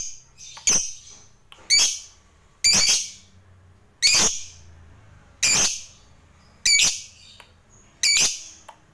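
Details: Lovebird kept as a lure for other lovebirds, giving single loud, harsh, high squawks roughly every one to one and a half seconds, seven in all.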